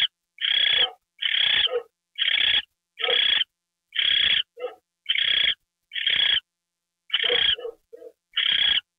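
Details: Owl receiving a mouse treat at 9:33 PM on January 28, 2013: a steady series of rough, noisy screeches, each about half a second long, with short clicks between some bursts.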